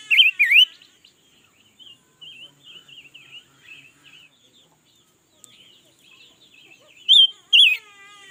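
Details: Red-billed leiothrix, said to sing all day, recorded in 2021. It opens and closes with loud, bright, warbling slurred whistles. Between them runs a long stretch of soft, rapid twittering phrases.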